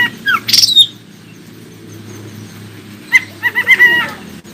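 Oriental magpie-robin giving brief sweet whistles and a harsh burst, then a pause and a fast run of clear, rising and falling whistled notes.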